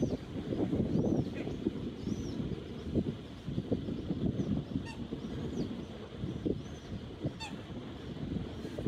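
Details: Baby Canada goose goslings on another cold morning, 20 May 2023: thin, high arching peeps come at scattered moments, some in quick pairs, half-buried under heavy low rumbling wind and rustling noise.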